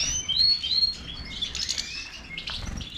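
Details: Goldfinch of the Major type giving a few clear slurred whistles followed by a soft, buzzy twittering phrase.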